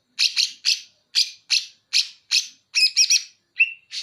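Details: A Banyuwangi greater green leafbird sings bearded bulbul song material: evenly spaced harsh chips, then a warbled whistled flourish and a clear drawn-out whistle near the end.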